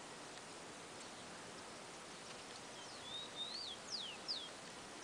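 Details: Rufous-collared sparrow singing in a garden: after three seconds of steady background hiss, a thin whistled phrase arrives, with level high notes followed by quick falling slurs.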